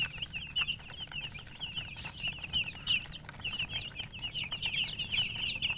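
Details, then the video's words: Chicken chirping sounds, many rapid high peeps overlapping continuously, some louder bursts standing out, with a low hum underneath. "silly chicken chirping sounds"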